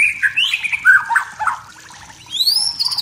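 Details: Wild white-rumped shama from the forest singing to provoke rivals' emotions: varied whistled phrases around mid pitch, then high rising slurred notes near the end, with soft low background noise.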